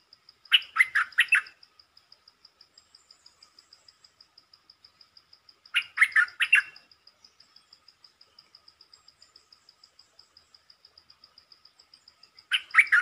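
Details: Three short phrases from a silver-cup champion red-whiskered bulbul, each a cluster of four or five clear, lilting whistles, spaced about five seconds apart over a fast, even mechanical-sounding tick.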